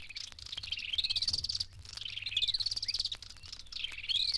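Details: Hunter's Cisticola pair duetting in East Africa, the male giving the trilling part and the female filling in a three-note call. Rapid high trills rise and fall in rolling waves across the clip, with sharp clicks between phrases.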